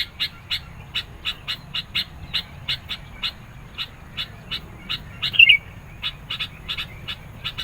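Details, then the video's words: A sooty-headed bulbul delivers a long run of crisp, evenly spaced high chirps, about three per second, broken once by a bright twisting warble. The energetic song is used to draw in and challenge other birds. "SUARA BURUNG KUTILANG GACOR NGOTOT. MENEKAN LAWAN, CEPAT RESPON.."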